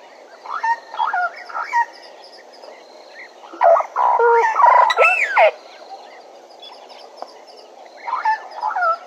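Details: Bennett's woodpecker at Djuma calling in bursts: short chattering notes, then a dense two-second outburst of harsh, buzzy squeals, pausing, then another brief chattering phrase.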